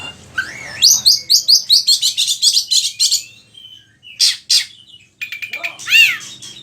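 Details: Oriental magpie-robin (kacer) singing a varied lure song used for tutoring other kacer birds: rising whistled slurs, then rapid bright trills and clicking notes, harsh buzzy bursts and a final arched whistle.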